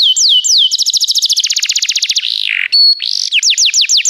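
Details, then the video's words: Canary song for training: a few slurred descending whistles, a rapid trill of repeated notes, a short harsh buzzy section, then more swooping notes. "O melhor canário canário para treinar seu canário"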